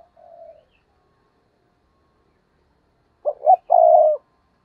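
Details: Spotted dove used as a decoy to excite wild birds: one soft, level coo, a long silence, then a loud, abrupt phrase of two short throaty notes and a longer rough coo.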